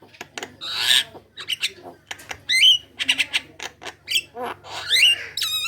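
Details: Javan myna song played as a lure to set other Javan mynas singing: scratchy chatter, grating bursts and twisting whistled notes in an uneven sequence, closing with a rapid buzzy rattle, over a faint steady hum.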